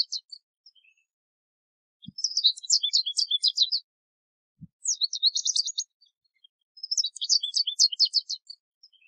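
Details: American goldfinch in full song outdoors: three separate bursts of rapid, high, sweet twitters and chips, each lasting about one to two seconds, divided by quiet gaps, with two soft low thumps.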